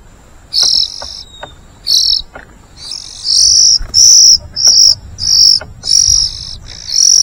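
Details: Young white-rumped shamas begging as a parent feeds them: high, scratchy, hissing calls in short bursts that become faster and more insistent toward the end.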